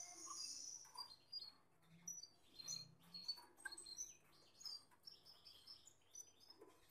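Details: Continuous rapid high twittering and short whistles from a male Gloster canary alongside a female, with ticking clicks scattered throughout and a low hum behind.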